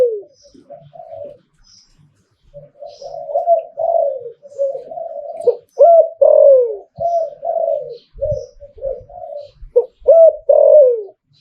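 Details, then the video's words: Zebra dove in หลิ่วตัน style song: quiet opening notes build into loud rolling, gurgling coos with downslurred phrases, nearly continuous; a faint high chirp and soft knocks in the background, indoors. "หลิ่วตันตลอด Thai dove #นกเขาใหญ่ #เสียงนกเขา #หลิ่วตัน"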